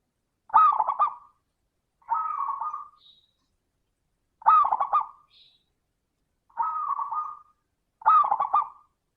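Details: Perkutut or zebra dove 'crystal voice' song, used as a lure to get reluctant doves singing: five short, bubbly cooing phrases about every two seconds. Each is a quick stuttered opening followed by a steady, level trill.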